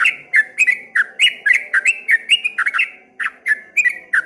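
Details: Rapid chirping song of a streak-eared bulbul, known locally as trucuk kebo, in ropel ngombak banyu style. Short sweeping whistled notes follow each other in a quick, rolling stream with brief pauses.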